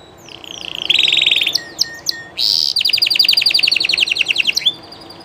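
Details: Live song of a Spanish Llarguet canary: sliding whistles lead into a steady buzzy roll, then a few sharp chips. A long fast rattling trill follows, ending in a short rising whistle.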